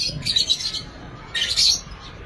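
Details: Young lovebird offspring in an aviary: two clusters of sharp, high, chattering chirps about a second apart over a low murmur of background noise.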